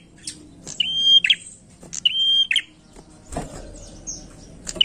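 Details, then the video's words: Prinia lure song, chatty and lively: two long even whistles with rasping ends in quick succession, then scattered high chips and a brief knock, softer toward the close. "pancingan prenjak gacor enak"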